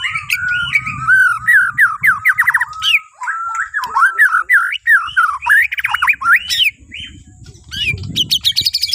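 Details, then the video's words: Borneo white-rumped shama singing as a morning lure for other birds: long continuous run of rapid looping whistled notes and sweeping slurs, ending in sharp high chips, over a faint low background rumble. "Kicauan Murai Batu Borneo❗Cocok Buat Pancingan Dipagi Hari"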